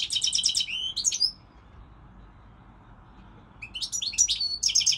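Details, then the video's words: Singing goldfinch: a quick burst of repeated chattering notes and short whistles, a pause of over two seconds, then another bright, jingling twittered phrase. "Singing Goldfinch, saka kusu تغريد الحسون الاروع هذا الموسم"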